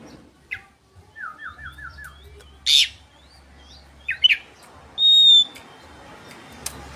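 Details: Oriental magpie-robin singing as a lure against rival birds: a soft series of four falling whistles, then isolated sharp chips and a loud, sustained pure whistle, with quiet gaps between phrases.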